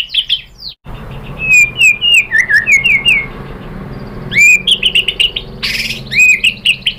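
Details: White-rumped shama song played as a lure to raise emotion and provoke birds to answer: loud varied whistles, a run of slurred rising-falling notes, a short break, then bright repeated whistled phrases with a burst of harsh noise.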